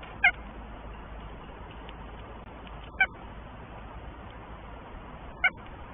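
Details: At their nest in Tartu, Estonia, a northern goshawk couple awaits the first egg. Three brief, sharp calls spaced roughly two and a half seconds apart stand out over constant low hiss.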